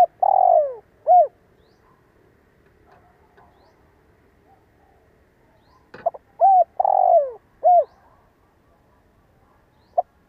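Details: Spotted dove decoy bird with a fine voice, used to make other doves coo. Low mellow coos in short groups: clipped notes around a longer, slightly falling coo, with a long pause midway through.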